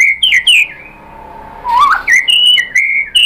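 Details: Nonstop white-rumped shama song used to make other shamas reply, showing off mimicry: clear whistles, a soft low warble in a pause, then loud ringing whistled notes on steady pitches.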